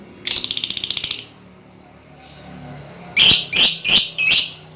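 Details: A colony of hand-reared lovebirds, used as a lure for ngekek: a quick one-second burst of rapid buzzy notes, a pause, then four loud, harsh screeches in quick succession over a low hum.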